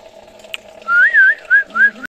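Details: Pet parrot whistling: a smooth, clear whistle that undulates in pitch, followed by two shorter rising-falling whistled notes, over a faint steady background hum.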